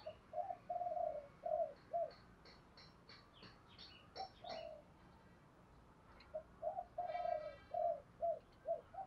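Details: Spotted dove cooing to provoke wild doves, with a high-pressure series of song patterns: low, hollow coos in quick runs and short gaps, set against faint background hiss and some higher chirping from other birds.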